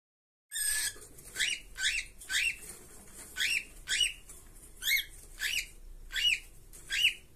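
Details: Two caged cockatiels give harsh, rasping, harmonic call notes, each rising then dipping, about ten in seven seconds at a fairly steady pace, with a quiet room background.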